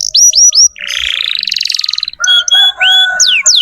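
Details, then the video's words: Singing canary used to tutor young canaries: quick upslurred whistles, a long rattling trill, then clear whistled notes and steep falling sweeps over a steady tone. "Masteran kenari muda dengan pancingan kenari gacor"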